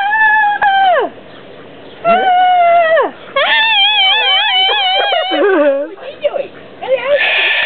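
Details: An excited cockatoo gives a run of loud, harmonic calls that slide downward, one after another. Wavering, warbled notes follow, with short pauses between the bursts, indoors.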